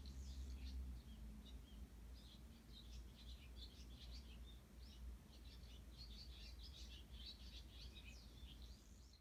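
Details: Sparrows calling in the early morning on 18 June 2018, many short high chirps overlapping in a continuous busy chatter, fairly distant beneath a steady low rumbling background noise.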